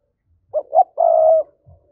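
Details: Lure recording of a spotted dove in the 'thúc' voice, meant to provoke wild doves: two brief rising coos quickly followed by one long, even, low-pitched note.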